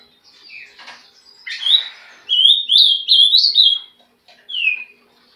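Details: Trinca-ferro, or green-winged saltator, gives a few soft chirps, then a loud whistled song phrase of linked slurred notes, closing with a single descending whistle after a brief pause.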